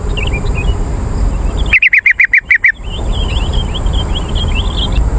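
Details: Call of a yellow-vented bulbul played as a lure for wild birds. A single tight run of about seven sharp chatter notes stands out amid faint, scattered twitters of other small birds and a steady hiss.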